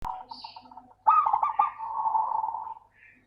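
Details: Local zebra dove (perkutut lokal) song, used as a lure to get lazy doves singing: soft stuttering notes, then one long, loud, rapid staccato cooing phrase of nearly two seconds, with faint higher chirps near the end.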